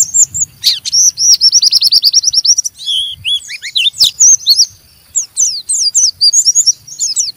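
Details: Oriental white-eye in rough ngeriwik song that stimulates other white-eyes to sing: a rapid even series of high chips, then buzzy wavering notes and later clusters of scratchy twitters after a short pause.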